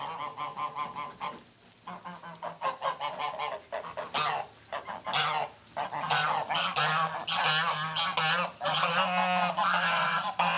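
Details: Geese honking loudly in the morning as they are let out of the mini-barn where they sleep, running, flapping and preening; overlapping harsh honks come in rapid, irregular bursts, nearly continuous throughout.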